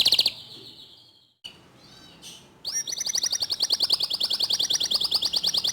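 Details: Canary singing, played to encourage other canaries to join in: a brief trill, a near-silent gap with faint notes, then a long bright rapid trill held steadily to the end.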